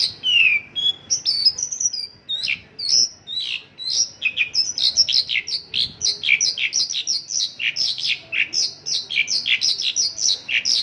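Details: 'Isian lokalan' song from a Mongolian lark: a few slower whistled and chirped phrases open, then a rapid, busy chatter of high notes runs without pause to the end.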